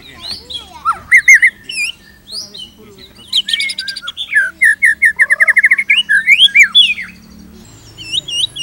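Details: White-rumped shama singing varied material for training other shamas: sweeping whistles and rising slurs, then a fast, steady string of repeated clear notes, ending in looping high whistles over a soft low hum.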